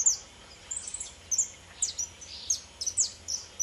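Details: Free-singing saffron finch, subspecies pelzelni (pardinho), giving rapid high chirps and thin slurred notes in short irregular bursts, with brief pauses between the groups.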